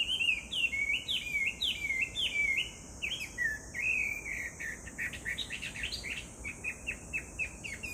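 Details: Chinese hwamei singing, recorded 18 July 2019: repeated downslurred whistles at first, then quicker, choppier notes and short chirps, all over a continuous high insect hum.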